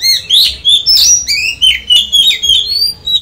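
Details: Oriental magpie-robin song used for daily voice training, a fast stream of bright whistles, upslurred and downslurred notes and sharp high chirps delivered in quick bursts.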